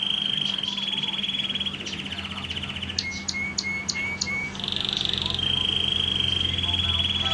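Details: Red factor canary singing a long, bright rolling trill, shifting between rapid buzzy phrases and a few clear whistled notes, with a faint low hum behind.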